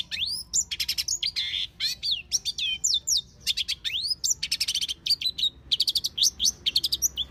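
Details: Wild long-tailed shrike delivering a busy, mimic-like song of upslurred whistles, rattling trills, scratchy buzzes and fast repeated chips, notes packed tightly over several seconds.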